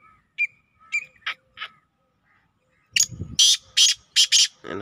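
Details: Saturday evening recording of a Black Francolin from 24 June 2023: scattered short whistled notes and a pause, then a run of grating, broadband bursts, with a human voice at the end.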